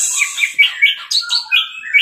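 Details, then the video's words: Orange-headed thrush tutor song, teler style: varied, jumpy phrases of high chirps and slurred whistles, each brief burst switching pitch, with short pauses between. "MASTERAN ANIS MERAH TELER"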